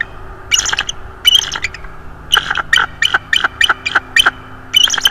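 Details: Subadult bald eagle, about three to four years old, visiting a nest in northeast Florida on 19 December 2022, gives haunting vocals: bursts of high, piercing staccato notes in clustered series, with short pauses between groups.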